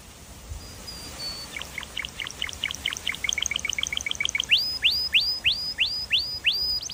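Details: Canary singing: a rapid stuttering trill of chirps gives way to a series of loud rising whistled swoops, each roughly half a second apart.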